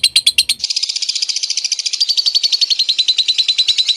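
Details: Lovebird konslet song, used to goad other lovebirds into answering. After a few separate chirps comes a rapid, buzzy trill of high notes, dense and unbroken, gradually loosening toward the end.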